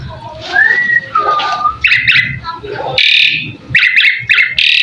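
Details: Asian pied starling in a tutor recording made to draw answers from other birds: soft slurred whistles first, then clipped repeated notes and loud harsh bursts.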